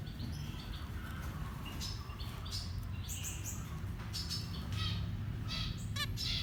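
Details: Nestlings calling while fed, a run of brief high peeps and chirps that grows busier toward the end and finishes with a fast rattling trill, over droning low noise.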